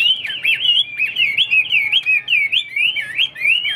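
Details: Chinese hwamei kept in a cage as a fighting bird, delivering an unbroken string of loud, wavering whistled notes that twist up and down in rapid loops, each phrase lasting a fraction of a second.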